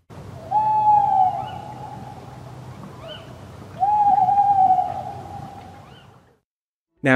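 An owl gives two long, steady hoots about three seconds apart, each sagging slightly at the end; a voice begins speaking just after.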